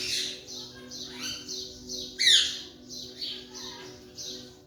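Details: Young Alexandrine parakeet, a raw parrot learning to talk in 2023: a run of short, high, scratchy squawks about every half second, with one louder, sharper cry in the middle.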